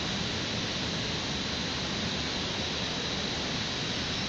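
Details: Continuous hissing, roaring background noise resembling wind or rushing water fills the recording, and no animal voice is heard.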